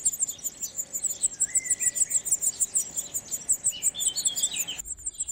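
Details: European serin courtship song in spring around olive trees: rapid high tinkling notes repeated steadily, with a few lower whistled slurs mixed in.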